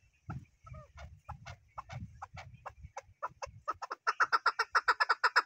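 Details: Chukar partridge starting with scattered soft notes over low rumbling noise, then breaking into a loud, regular series of sharp clucks at about four per second.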